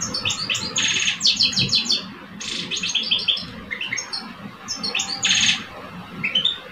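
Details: Two caged male goldfinches, an old one and a two-year-old, duel in song in Algeria. Loud rasping buzzes alternate with rapid tinkling trills in three main bursts, softer twitters filling the gaps over a faint rumble.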